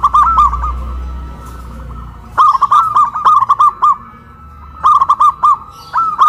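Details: Local zebra doves on raised poles in Kuningan, West Java, dueting loudly; long rolling phrases of quick rounded coos repeated three times, with a low rumble early on.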